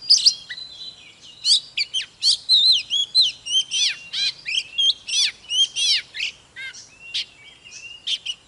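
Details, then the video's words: Oriental magpie-robin giving a fiery display song to stimulate other magpie-robins. Rhythmic bursts of rising and falling whistles repeat steadily, mixed with short buzzy phrases. "Chòe than HÓT MÚA || KÍCH LỬA || Kích chòe than hót căng"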